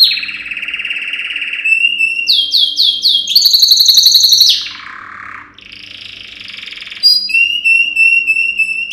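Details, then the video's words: Yellow canary male, Serinus canaria, giving training song: a long buzzy rolled trill, bouncing looped notes, a very rapid ringing trill, a falling glide into a low churr, then a steady warbled roll. "Yellow Canary singing video - Serinus canaria - Canary Training Song"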